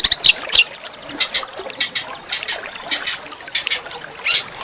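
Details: Small songbird heard as master song for shama and magpie-robin training: sparse pairs of thin, high chips spaced by short pauses, with a soft hissing, trickling background.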